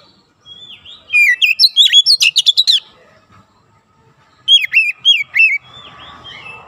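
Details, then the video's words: Training recording of an oriental magpie-robin, meant to get young birds firing off dense 'nembak' song: a fast string of bright, swooping whistles and chatters, then three slower, louder down-slurred whistles. "TERAPI KACER BAHAN CEPAT NEMBAK RAPAT"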